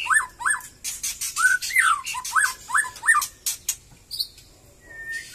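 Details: After moulting, a White-rumped shama of Batu Kurau lineage sings again: a quick series of short, down-slurred whistled notes about three per second, then a few sharp clicks and one long level whistle.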